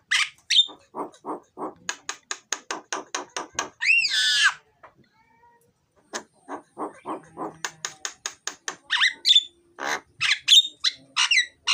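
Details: Myna (jalak) in loud, full 'gacor' song with varied 'isian' fill notes, used to prompt lazy mynas into singing: rapid series of harsh clicking bursts, a drawn-out wavering harmonic whistle, a short pause, then more chattering bursts and sharp whistles.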